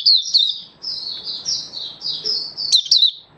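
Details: Malaysian Oriental white-eye singing a continuous high, sweet warble of drawn-out slurred notes, ending in a few sharp chirps.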